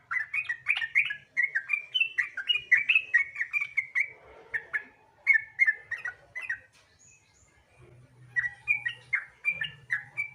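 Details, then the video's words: Sooty-headed bulbul song played as a lure to make other bulbuls start singing: runs of chattering whistled notes, a quieter gap near the middle, then renewed bubbling phrases, with a faint low hum in places. "Pancingan Trucukan Gacor Ropel Santai Sangat Ampuh Bikin Trucukan Lain Cepat Bunyi Gacor Ropel"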